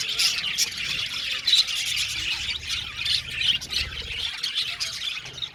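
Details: Colony of budgerigars in an aviary squawking and chirping, the chatter swelling and easing in waves, with a few louder harsh notes.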